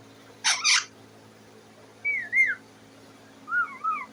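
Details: A caged pet parrot sitting on the cage and calling for food: a short double harsh squawk followed by wavering, rising-and-falling whistled notes repeated twice.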